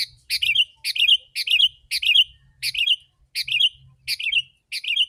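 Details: Sooty-headed bulbul sings as a lure for wild birds, giving loud, rich, rolling whistled phrases, each opening with a sharp high note, about two per second in a steady rhythm.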